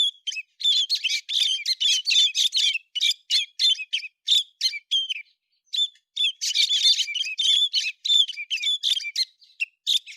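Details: Héc xoan bird singing in September 2020: a continuous chatter of sharp chirps, brief whistles and squeaks across the whole stretch, with one short pause midway; no other sounds.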